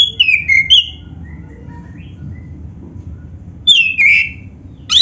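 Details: Oriental magpie-robin, black-breasted type, singing full song to stimulate other magpie-robins: a short run of sliding whistles, about three quiet seconds with faint soft notes, then another loud downward-swooping phrase.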